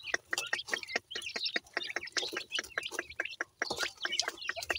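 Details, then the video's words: Jora pheasant chicks, known locally as teetar, peeping in a busy chorus of quick high chirps and short whistled notes, irregular and overlapping. "teetar bird chicks ki sound"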